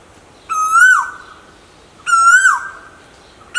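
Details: Asian koel, male and female calls featured: a strong whistled note climbing slightly before a quick downward slur, repeated twice roughly 1.5 seconds apart, with the start of a third at the end; little else heard.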